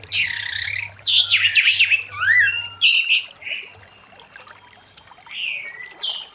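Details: An orange-headed thrush gives loud 'ngeplong' song in the late afternoon to lure other thrushes: dense bursts of harsh, chattering and whistled phrases, a rising slurred whistle, then quieter scattered high notes.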